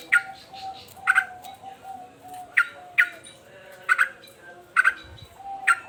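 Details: Agitated male sooty-headed bulbul in a cage, repeating short emphatic chip notes, often doubled, roughly every second, with a soft tonal hum underneath.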